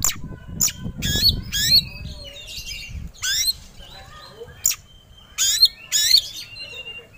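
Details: Oriental magpie-robin (kacer) singing to provoke agitation and readiness to fight: scattered high whistled and buzzy bursts between gaps, with low rumbling background noise early on.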